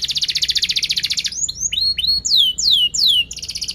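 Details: Canary delivering a sharp rolling song meant as a lure for young birds learning: a fast pulsing high trill, then clear rising chirps and long loud downward-swooping whistles, ending in another quick trill.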